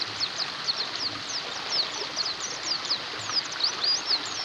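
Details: Numerous white-eyes calling at once, as therapy for birds stuck without song: rapid high downslurred chirps and a few wavering whistles overlap densely, faint low hum underneath.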